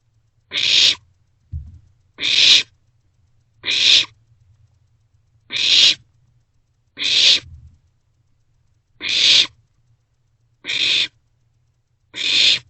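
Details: Barn owlets sharing a meal in a nest box at night, 27 March 2024: repeated harsh hissing screeches, eight in about thirteen seconds at uneven spacing, plus brief low scuffing sounds.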